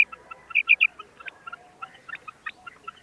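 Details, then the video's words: A female common quail, calling in a recording used for quail hunting, gives three quick, high, sharp notes in a tight burst, followed by a loose scatter of fainter ticking notes. "Female Quail Sound | Madi batair ki awaz | batair karkaree | Female Quail Calling"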